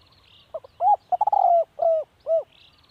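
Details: Cooing phrase of a decoy spotted dove: stuttered lead-in notes, a long rolling coo, then two rounded falling coos. Faint high chirps from other birds are heard at the start and the end.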